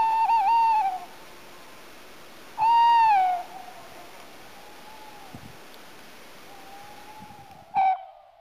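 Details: Tawny owl: a wavering, quavering hoot near one kilohertz lasting about a second, a second slightly falling hoot, then faint drawn-out notes and a short sharp call near the end.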